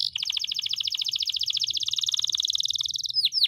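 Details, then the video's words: Caged canary in vigorous extended song used to train other birds: a long, fast rolling trill of tightly repeated chirps, slowly shifting in pitch, ending with a few sharp downslurred whistles. "masteran kenari gacor,gacor (durasi) panjang ngeroll"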